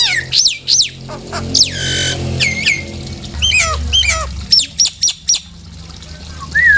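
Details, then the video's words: A Nias hill myna gives loud whistles meant to provoke caged birds into song. Steep downward-sweeping whistles and a drawn-out falling note lead into a run of clipped, high notes, ending with one soft rising whistle. "PANCINGAN SUARA JALAK NIAS"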